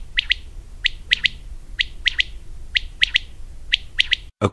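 Common quail repeating its liquid three-note 'wet-my-lips' phrase about once a second, sharp and high; a brief thump of handling noise at the end.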